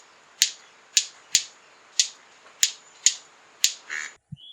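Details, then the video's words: White-collared Manakin male clearing a patch of ground for its courtship dance: sharp, dry firecracker-like wing snaps, about seven in four seconds at an irregular pace, over a steady high insect hiss; Caño Negro area, Costa Rica, special camera. "capturarlo, necesita instalar una cámara especial William de Pierella Jungle Restoration Foundation compartió este metraje conmigo De"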